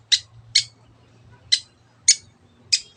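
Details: Long-tailed shrike giving five hoarse, scratchy notes spaced about half a second apart over a faint low hum.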